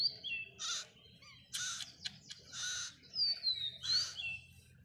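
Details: Baby parrot begging during hand feeding on its first day: four loud, raspy broadband squawks spaced roughly a second apart, with a faint sliding whistle in between.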